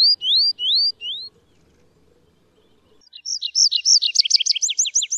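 An Atlantic canary sings three clear, rising whistled notes, pauses, then bursts into a fast, rippling run of high upslurred notes, about six each second.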